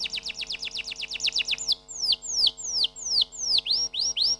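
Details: Canary song beginning with a quick series of falling whistles, followed by slower, drawn-out downward slurs, and closing with a few clear rising whistles.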